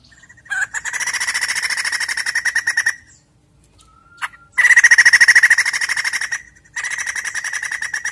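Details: Caged-bird lure of white-crested laughingthrush: three long runs of quick, harsh repeated notes, each lasting a second or more, separated by brief silences, one broken by a short thin whistle.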